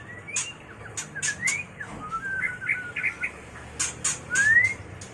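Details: Mating song of a white-rumped shama, used to train and lure birds: clear whistled slides and short rising notes strung together, ending in a bright upward-sweeping whistle, with sharp clicks between phrases.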